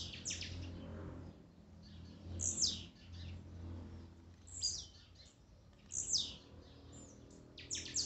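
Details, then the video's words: Blue-black grassquit: short, high, buzzy chirps in bursts about every one and a half to two seconds over a low hum; a warm-up recording of songs and male calls meant to excite a captive bird. "esquente de tiziu,cantos e macheados"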